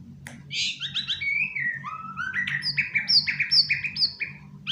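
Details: White-rumped shama kept as a pet, singing indoors from a sofa: varied warbled phrases stepping down and then up in pitch, followed by a series of repeated bright whistled notes, with soft low hum behind.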